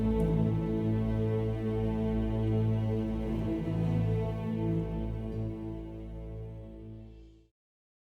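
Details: Calm ambient instrumental music with sustained tones fades out into silence, with no animal sounds.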